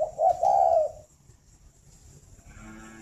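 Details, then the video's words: Spotted dove at a Vietnamese breeding aviary in Ba Vì, Hanoi, uttering a quick low coo followed by a longer soft hollow note, then near silence with faint background noise. "tiếng chim cu đẻ"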